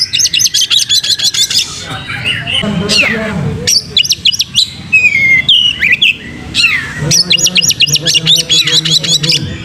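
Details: Oriental magpie-robin (kacer) singing as a lure for tail-spreading: bursts of rapid high clicking trills alternate with lower slurred, rasping phrases and sweeping whistles, then a long final run of fast repeated chips.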